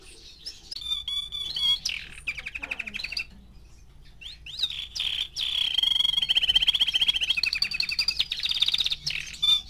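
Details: Four-month-old male canary singing: varied twittering phrases, rapid buzzy trills and sweet whistled notes, with short pauses between bursts and a long rolling trill toward the end.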